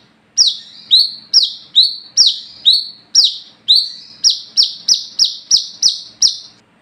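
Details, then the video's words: An olive-backed sunbird calling at night gives a loud string of about fourteen sharp, high, down-slurred notes, half a second apart and quickening toward the end; used as a lure call. "SUARA BURUNG WICEH (KOLIBRI KELAPA ) GACOR NGALAS NGEPLONG"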